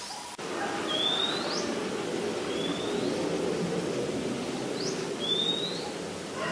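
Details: White-vented Myna (Acridotheres grandis), photographed in Ubon Ratchathani, Thailand, on 9 March 2022, gives four thin, high whistles, each sliding upward, spaced a second or two apart, over a steady low murmur of background noise.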